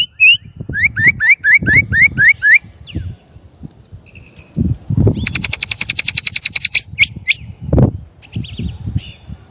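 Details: Chinese blackbird singing a rhythmic run of repeated whistled upslurs, then a fast rattling trill and scattered chirps, over intermittent low thumping and rumbling noise.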